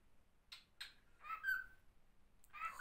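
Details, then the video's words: A pet male cockatiel, excited that day, on a cold morning in Moscow while being taught to talk, gives two short raspy chatters, then a drawn-out, slightly wavering whistled note like a mimicked word, ending in another scratchy phrase. "попугай корелла учится говорить / Parrot corella learns to speak"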